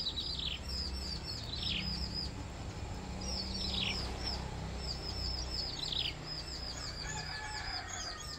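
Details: Three hungry Bar-winged prinia chicks being fed give thin, high, rapidly repeated begging chirps in bursts every second or two, over a steady low rumble of wind or background noise.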